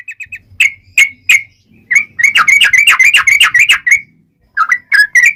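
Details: Sooty-headed bulbul giving a 'ropel panjang' fighting song: a few quick soft notes, three loud whistled chips, then a fast rattling burst of sharp whistled notes and a final cluster of emphatic chirps.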